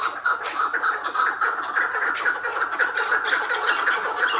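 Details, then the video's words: Tethered Chukar partridge producing the hıngırma call, a brisk, scratchy pulsed chatter with clipped notes tumbling in close succession. "BAĞLI KEKLİK HINGIRMASI"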